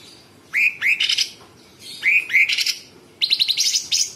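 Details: Cucak cungkok, a sooty-headed bulbul, singing rough, tightly spaced 'tembakan' phrases. A pair of rising whistled upslurs leads into a quick buzzy chatter, repeated twice, then a longer rattling burst.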